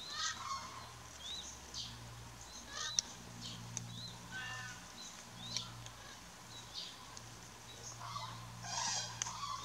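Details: Common cranes heard in the mist at the Diepholzer Moor Niederung near Mariëndrebber; scattered honking calls from several birds, irregular bursts with harmonic notes, one louder cluster near the end, and a constant low drone beneath.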